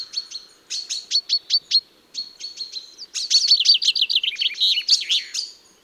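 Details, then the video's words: Common chaffinch song prepared as a hunting lure: bursts of sharp high chirps in short runs, then a dense, fast, slightly descending rattling trill lasting about two seconds, with no other sounds. "أجمل صوت لصيد الصلنج -الحسون الظالم - صوت ثنائي الأبعاد Best Chaffinch Hunting Sound"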